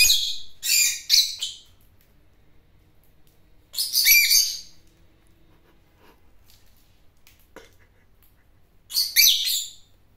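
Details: Bird flock calling: three clusters of harsh, noisy, chattering bursts several seconds apart, with near silence between them.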